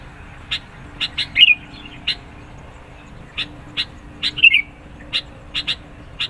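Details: Sooty-headed bulbul singing hard to lure birds and answer rivals: spaced chip notes in pairs and singles, with two loud rich warbled phrases standing out, against a faint hum.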